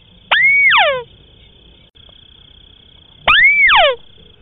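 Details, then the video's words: White-browed crake call used to lure birds in marshes and paddies. Two well-spaced calls, each an upslurred note flattening into a clear whistle and followed by a falling rasp. A steady high tone sounds throughout. "Suara asli & Jernih burung tikusan alis putih"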